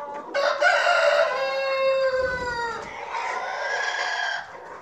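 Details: Rooster on a farm with a long, full crow: a loud, buzzy opening that holds steady, then slides slightly downward and trails into a fainter second phrase, lasting about four seconds.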